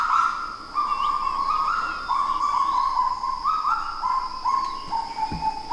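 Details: A Kagu pair duets at first light in humid forest of New Caledonia's Rivière Bleue park: loud, hollow, yelping notes, about two each second, stepping up and down in pitch, over a thin high insect whine.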